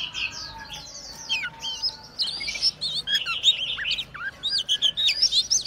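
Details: Kacer, the Oriental magpie-robin, in full song, fanning its tail and swaying. Rapid series of clear whistled slurs and looping notes, some falling sharply, delivered about three per second in an irregular, lively flow over faint background hiss.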